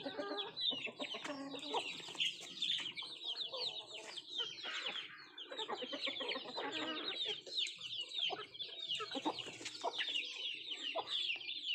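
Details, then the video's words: Country chickens feeding, with a dense, continuous chorus of high, thin peeping chirps that overlap and repeat rapidly, and soft pecking and clicking sounds beneath. "Nattu kozhi Food eating and sound effect"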